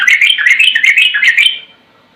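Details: Sooty-headed bulbul (trucukan), singing in the ropel style used for masteran: a fast run of bubbly, slurred notes repeated about every quarter second for a second and a half, then stopping.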